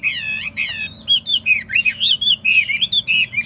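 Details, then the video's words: Caged Chinese hwamei, a tested fighting bird, singing a rich run of loud whistled phrases: looping slurred notes, then rapid varied rising and falling whistles repeated about four times a second, over faint low background hum. "Hót tốt, Đấu tốt. Siêng mỏ, giọng hay"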